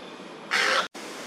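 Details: Malayan night heron in Daan Forest Park, 15 August 2023, fluffed up and calling in alarm at a young Crested Goshawk perched in the same tree; a single loud harsh cry lasting about a third of a second, against a steady hiss.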